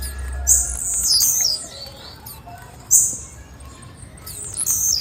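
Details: Female blue-black grassquit giving short, very high chipping calls in scattered bursts, a few close together near the start and others spaced about two seconds apart, over a low steady hum.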